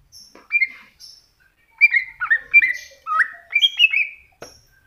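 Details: Masteran recording of a greater green leafbird: scattered high chirps, then a lively stream of rising and falling whistles with short thin notes above.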